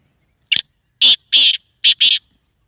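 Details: Black francolin call used to excite the bird into breeding condition: a short opening note, then a longer rasping syllable, a pause and a quick pair of harsh buzzy notes, clear against silence.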